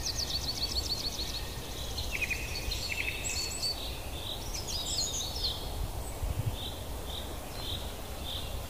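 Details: African lovebirds giving shrill, chattering calls: quick runs of high squeaky notes and short lower chirps, several overlapping, over a steady low rumble of wind.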